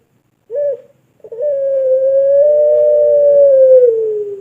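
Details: Long call of a pelung turtle dove, the kind used for tutoring other birds: a brief opening note, a pause, then one drawn-out, even, steady coo lasting nearly three seconds, closing with a soft downward slide.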